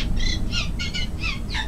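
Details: A Eurasian reed warbler sings a steady string of harsh, chattering notes, about three per second, over a low constant rumble, possibly a passing train, at the Urdaibai marsh on a spring morning, 26 April 2020.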